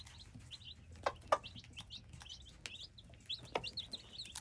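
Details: Hybrid chicks chirp rapidly in thin, high, slurred peeps, heard together with several sharp tapping or pecking knocks scattered through the sequence.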